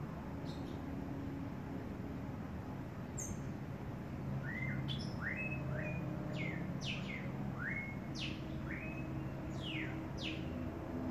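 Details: Young cinnamon hummingbird begging as its mother feeds it, giving a busy series of thin, high chirps, some falling steeply and others rising then flattening, scattered irregularly over ten seconds against steady low rumbling noise.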